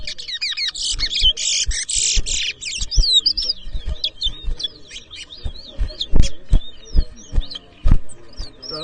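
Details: Competition bird ground in Edinburgh Village, Guyana, 2023: towa towa (chestnut-bellied seed finch) whistling match between two birds, with a dense burst of buzzy notes followed by clear, spaced, rising and falling whistles over background voices and knocks.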